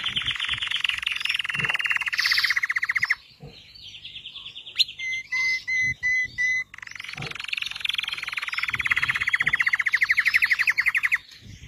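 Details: Belgian red canary singing a dense buzzy rolling trill, a pause, a series of steady whistled tones, then another long rapid trill, with steady low hum underneath.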